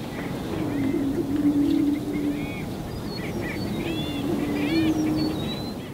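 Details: A male greater prairie-chicken booming on a spring lek in courtship display, using his inflated orange throat sac: two low, hollow, moaning hoots of about two seconds each, audible over a mile away; fainter whistles and chatter from other birds behind.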